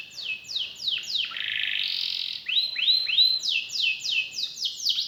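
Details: Canary in full, persistent song, praised for special song phrases and rich fill notes: repeated downward-sweeping whistles, a buzzy rolled stretch, then arched upturned notes and more quick descending sweeps.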